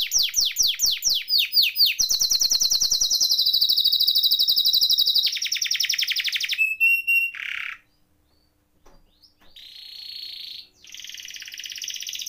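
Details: Canary (kenari) singing a varied masteran song: descending sweeping notes, a long rolling trill, clear steady whistles, a short buzz, silence, then more buzzy trills.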